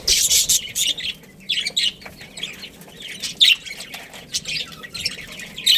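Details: Pet budgerigars, a breeding pair, giving scratchy high-pitched chirps and warbling notes in irregular short bursts, louder at the start and again near the middle and end.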